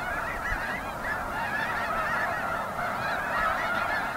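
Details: Snow goose (Anser caerulescens), flock calls.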